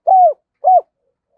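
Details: Ending of a decoy spotted dove's double-voice song: two clear, arched coos about half a second apart, with silence after.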